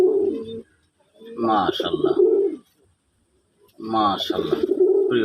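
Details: A powerful male native bak (kum) pigeon, one of a breeding pair, gives loud, deep, throaty coos in two rolling bursts.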